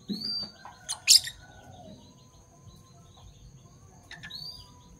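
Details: Parblue violet and parblue turquoise Fischer's lovebirds calling in the morning: a shrill rising chirp opens, followed by loud clicking bursts, quiet, then another high chirp at the close.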